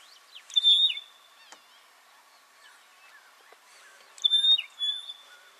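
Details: Rosy-patched bushshrike duet in Buffalo Springs National Park, Samburu, Kenya: two bursts of piercing high whistles with quick chattering notes, about 3.5 seconds apart, separated by soft low calls and clicks.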